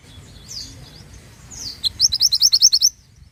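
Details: Singing pied bushchat, kept as a master recording for songbird training: a couple of slurred high whistles lead into a fast, loud trill of about ten crisp repeated notes, ending abruptly.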